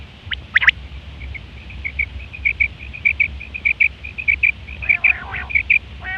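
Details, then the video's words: Female quail sounds used as a trapping lure: a rapid series of short, high clicking notes at a steady patter, with a few sharper chirps mixed in over a low background rumble. "female quail sounds"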